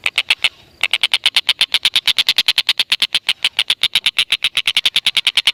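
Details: Stork-billed kingfisher, recorded to lure lovebirds into calling: after a brief stop, a long continuous chatter of loud, grating 'kek' notes follows, evenly spaced at about seven per second.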